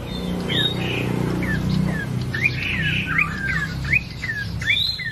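Ashy tailorbird giving quick, sharp chirps and short slurred whistles, about one or two per second, over a steady low hum.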